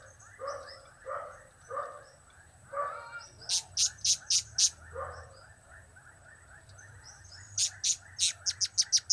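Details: Blue-crowned hanging parrot calling in the cap, kiak, crap style. Soft mid-pitched chirps come first, then two runs of loud piercing high notes, each of about five to six rapid bursts.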